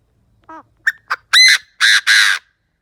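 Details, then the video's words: Decoy Chinese francolin calling to lure wild birds; a few short, thin notes build into three loud, harsh, broadband squawking notes, the last two long and nearly joined. "Tiếng chim đa đa mồi gáy kích bổi"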